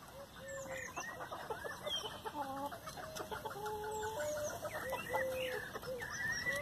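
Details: Flock of chickens eagerly eating leftover hamburger buns: a busy mix of low clucks and short level or gently rising whistled notes, overlapping from several birds, fairly quiet and continuous.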